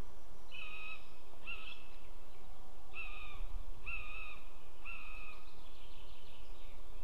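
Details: Buzzard in Estonia on 20 June 2015 at 18:00, bringing prey to the nest and leaving with it; a series of five or six high, drawn mewing calls about once a second, over steady background noise.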